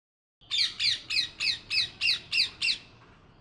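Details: Parrot giving eight loud, harsh squawks in a steady series, roughly three per second, each a rasping downward-bending note, in a quiet room.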